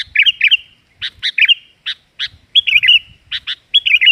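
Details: Sooty-headed bulbul in lively voice, used as a lure sound: short bursts of bubbly warbled notes mixed with sharp chips, irregularly spaced.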